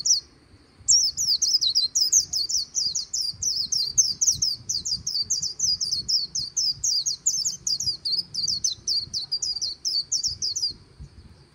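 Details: Long líu song of a white-eye on the Kỳ Cùng riverbank, nearly ten seconds of nonstop, very high, rapid chattering notes repeated several times per second, lively and squeaky, with little else heard.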